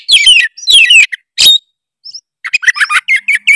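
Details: Oriental magpie-robin of the Tretes type, singing vigorously as a lure to provoke rival birds: bursts of sharp whistled and buzzy phrases, a pause near two seconds, then rapid varied chirping notes.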